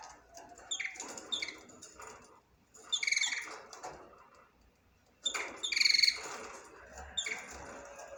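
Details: Budgerigar song: bursts of chattering, scratchy warbles and sharp chirps, separated by short pauses.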